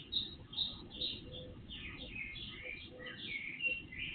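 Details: Before-dawn bird chorus from an IP surveillance camera with boosted volume: a few crisp chirps at the start, then a rambling mix of trills and twittering phrases over persistent low hiss.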